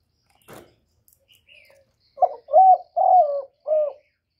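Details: A faint rustle and soft noises come first, then a spotted dove gives its phrase: a quick short coo, two long rounded coos and a shorter final one, low and soft in tone.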